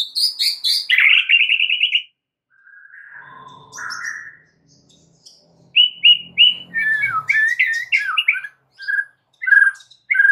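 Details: Lure song of a White-rumped shama, meant to make other shamas sing more and learn new phrases: a bright rapid trill opens, then softer low whistles, a gap, and a varied run of sharp whistled notes and chips.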